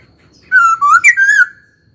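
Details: Laughingthrush giving a single loud whistled phrase of about one second, a smooth clear whistle with small wavering breaks, from a caged bird being trained to sing.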